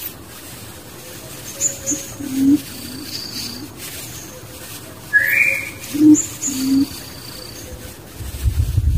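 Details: Barbet in the wild alongside its young: scattered low, mellow hooting notes in loose pairs, separated by pauses, with a single rising whistle midway and faint high tones above a constant hiss.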